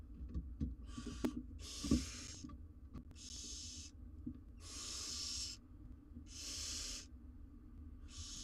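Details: Barn owl nestlings, four wild young in a research nest box in Israel, alone while their mother is out. Hoarse snoring hisses repeat roughly every one and a half seconds, about six in all, with scattered soft bumps early on.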